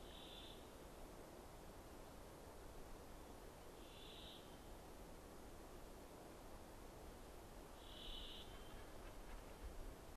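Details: An osprey near its nest, about 100 metres from a hide near the Lokka reservoir, Finland, 2011, gives three short, high whistled calls about four seconds apart, barely rising above steady wind roar and low rumble.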